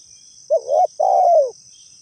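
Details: Single phrase of a spotted dove lure call for trapping: a warbled rising coo, then a drawn-out coo that falls at the end, over a thin constant high-pitched hum.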